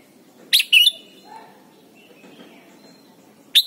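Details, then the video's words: Red-whiskered bulbul from Thailand, played to teach young birds to sing: a sharp two-note whistled phrase with a bright upward flick, then quiet, then a third clipped note near the end, over a steady low hum. "นกปรอดหัวจุก Thailand Bird: เสียงดีมาก (สอนลูกไก่) เต็ม - ฝึกร้องเพลงร้องเพลงยอดหรือเสียงบิด"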